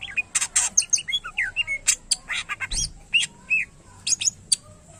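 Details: Greater green leafbird (cucak ijo) delivering a dense, energetic song of harsh noisy bursts, quick whistled slurs and chattering notes packed closely together, with a brief low thump midway.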